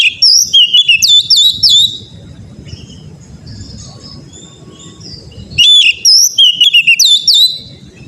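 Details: Oriental magpie-robin song played as therapy to get untrained birds singing loudly: two bursts of rich, high whistled phrases with sliding and fluttering notes, separated by a quiet pause with low background rumble.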